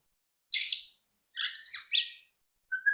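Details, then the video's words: White-rumped shama song played to provoke other birds into singing: three short, loud, rich bursts of jumbled high chirps, separated by brief pauses, then a soft whistled note at the end. "pancingan AMPUH murai batu agar cepat bunyi"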